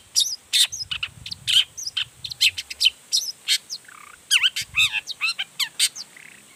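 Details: Energetic long-tailed shrike song that shows off its repertoire to get other shrikes calling back: a busy, varied mix of high chirps, slurred whistles and scratchy notes delivered in quick succession.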